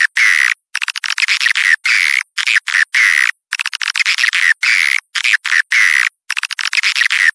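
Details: Swiftlet calls played to draw swiftlets in from outside. Loud, buzzy chirring bursts come in quick clusters separated by brief silences, with rasping, trill-like notes; there is no low-frequency sound.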